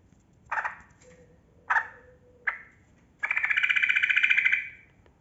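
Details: Yellow-vented bulbul (trucukan kebo) in lively, long continuous ropel panjang singing, played as a lure to get quiet bulbuls singing: three harsh, husky chuck notes, then a buzzy, bubbling warbled phrase lasting over a second.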